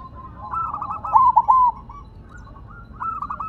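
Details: Zebra dove on the ground, still singing strongly: a soft rolling coo builds into a loud series of rapid, bubbling coos, then fades to quieter coos that rise again at the end.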